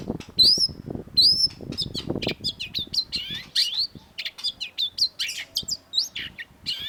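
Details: Cendet, the long-tailed shrike, in a sharp master song for cage-bird training: a few bright upslurred whistles, then a dense chattering run of varied high chirps and buzzy notes.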